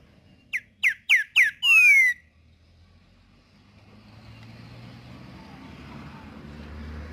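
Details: Green-winged saltator singing outdoors: four quick, loud, rich whistled notes, then a longer slurred falling whistle, followed by quiet rumbling background noise.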